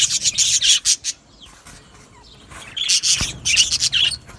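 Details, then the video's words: Budgerigars in an aviary colony, bursts of dense high chirps and chatter separated by short quiet spells, one sharp click near the middle. "Beautiful Budgie singing and chirping sounds"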